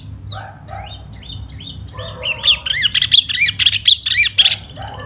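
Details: In spring, one silver-eared laughingthrush sings 'hót xoè': soft warbled phrases open the passage, then build into louder bright whistled slurs and chirps near the end.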